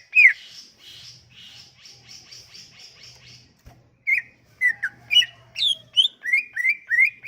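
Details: Sumatran leafbird song for luring silent leafbirds to sing: a soft series of buzzy repeated notes, then a brighter sequence of slurred whistles and chirps.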